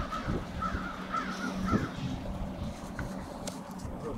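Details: Winter staging flock of crows on Washington St, Brattleboro, Vermont, 16 February 2021; four quick evenly spaced caws in the first two seconds, then quieter, over a low hum of town traffic.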